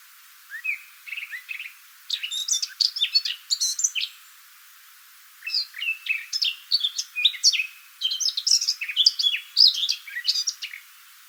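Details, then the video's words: Eurasian blackcap singing in the wooded part of a countryside walk in West Sussex: rich, varied warbling phrases of quick high notes in four bursts separated by short pauses. "And with black caps, the song is so rich and musical."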